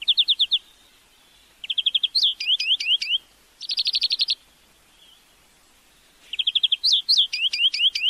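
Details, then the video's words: Greenfinch (Florya) song used as a lesson recording: rapid trills, swooping zigzag notes and a dense rattle, repeated after a short pause. "Flurya Ötüm Huylandırma-My real record education CarduelisChloris تغريد الحسون الأخضر"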